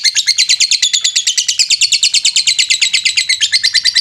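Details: Lovebird song used to rouse and stimulate less active lovebirds to sing: a dense, fast, continuous chattering of harsh high chirps, pulsing about six times per second without pause.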